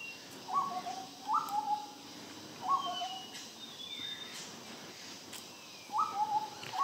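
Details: Large Scimitar-Babbler perched and calling in Malaysia: repeated soft hooting whistles, each a short high note falling to a lower drawn-out one, about five phrases, over a hissy background with faint high whistles.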